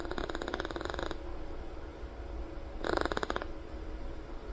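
A Monk parakeet blows raspberries, two bursts of rapid, sputtering buzzy pulses.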